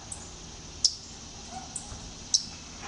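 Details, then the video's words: Waterthrush call from a front yard in Talking Rock, Georgia, where at least two birds were seen creeping across the grass. Two sharp, high chips sound about one and a half seconds apart, with fainter ticks between them. "The Waterthrush Waltz"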